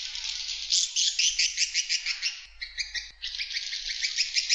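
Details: Swiftlet call played to attract swiftlets: fast, rapidly pulsed twittering chirps, several per second, in a steady high buzzy stream with a brief dip near the middle.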